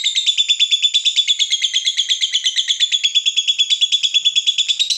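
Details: Long "ngekek" of a fighter lovebird stirred up by a rival: a continuous, very rapid, high rattling trill with steady pulses, several per second, holding throughout without a break.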